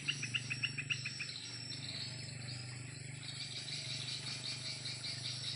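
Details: Swiftlets flying above their swiftlet house in the late afternoon give a quick run of sharp, repeated chirps, then a steady high twittering chatter, over a constant low mechanical hum.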